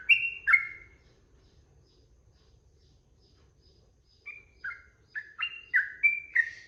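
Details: Sooty-headed bulbul singing 'ropel' style for bird training: two loud whistled notes, a pause of several seconds, then a quickening burst of short slurred whistles stepping up and down.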